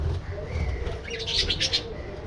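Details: Budgerigars in an aviary, in flight: a quick cluster of sharp, high chirps near the middle, with a faint whistled tone and a low background rumble.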